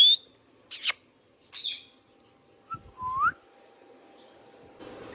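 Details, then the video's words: Pet Indian ringneck parakeet calling: a brief whistled note, a sharp harsh screech, then a rasping call and a soft upward-curving whistle, followed by quiet background hiss. "Indian Ringneck parrot natural sounds | Ringneck parakeets sounds video"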